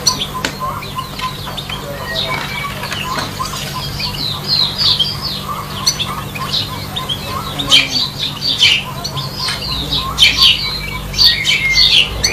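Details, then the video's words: Male European goldfinch singing in trees: a fast, busy run of bright chirps and tinkling twitters, rising in strength toward the end. A low steady hum runs underneath. "goldfinch singing on the trees"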